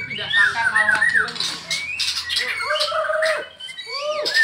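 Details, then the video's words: Caged white-rumped shamas, including a Medan bird, singing in the afternoon; dense mix of looping whistles and rasping notes, then clear drawn-out whistles curving downward near the end. "coba nge CAS MB BALAK 8 dgn MB Medan di sore HARI"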